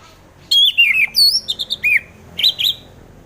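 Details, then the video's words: Song of an orange-headed thrush, used to prompt sluggish birds to sing; rapid sequence of bright whistled slurs, some high and sweeping, ending in a short paired phrase. "Pancingan Suara Burung Anis Merah"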